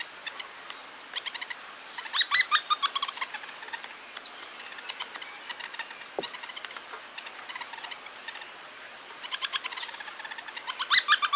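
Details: In Toronto, a male hairy woodpecker feeds a fledgling amid sharp, high chirps in quick bursts of several notes, with quieter single calls between them and a faint background hiss.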